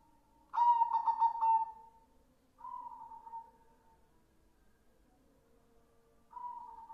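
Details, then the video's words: White zebra dove with red eyes, singing actively: a throbbing, pulsed coo drawn out into a long tone, then two plainer sustained coos after pauses of roughly two seconds. Faint low hum underneath. "Suara perkutut putih gacor / perkutut putih / suara perkutut / perkutut mata merah"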